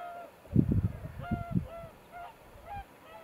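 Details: Cormorants in a breeding colony: a cluster of deep, rough grunting croaks, with higher clear, tonal calls of other birds repeating in the background.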